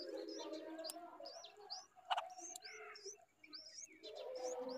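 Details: Bulbul feeding its chicks with insects in hot weather; short, high, upslurred chirps come in quick repeated bursts over a steady low droning background, with a few sharp clicks.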